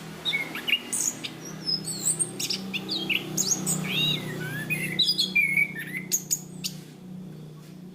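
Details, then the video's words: Cage-kept chestnut-capped thrush (anis kembang or punglor) in a training recording, singing a continuous run of varied high whistles, slurred upward and downward notes and sharp chips, with a faint low hum beneath. "Masteran Anis Kembang | Punglor Gacor Ngeplong Mantap"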